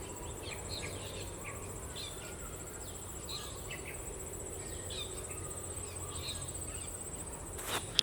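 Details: Sabah bee-eater, blue-throated, calling with brief sharp chips repeated roughly every second, faint against a dense chorus of crickets and a high steady hum, with a sudden click near the end.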